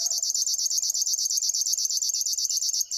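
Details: Close-up burst of River warbler song: harsh, evenly spaced, insect-like pulses, roughly eight a second, high and dry, with a faint low tone underneath.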